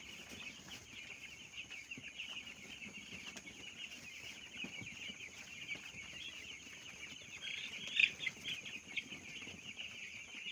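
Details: A crowd of small broiler chicks on a rearing farm chirps nonstop in high, piping cheeps that blend into one continuous chorus, swelling briefly around the eighth second.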